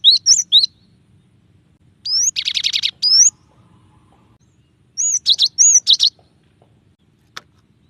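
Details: Cinereous tit with a varied song: twittering high notes, then a rising whistle into a buzzy rattling trill, more looping whistles mixed with rasping notes, and a single faint click near the end.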